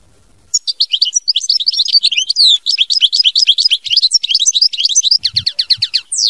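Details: Continuous 'mama binette' song from a European goldfinch: about six seconds of rapid, tumbling high twitters, trills and slurred whistles without pause, with a couple of soft thumps near the end.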